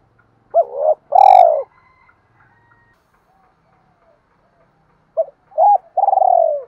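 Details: Spotted dove, male and female, giving a provoking call to rouse rival doves: hooked short coo and long hollow note, a pause, then two quick notes and a long throbbing coo.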